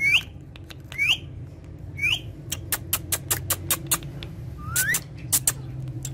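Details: Parrots playing with each other on a charpai give three bright upward whistled notes about a second apart, then a fast run of dry clicks and one final rising whistle, over a steady low hum.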